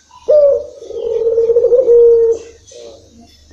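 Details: Local puter dove's long-rhythm song: one sustained, purring low coo of about two seconds ending on a clean steady tone, followed by a brief softer note.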